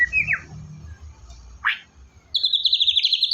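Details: White-rumped shama song used to encourage a silent shama: two short downward-slurred whistles, a pause, then a high buzzy trill of rapidly repeated notes.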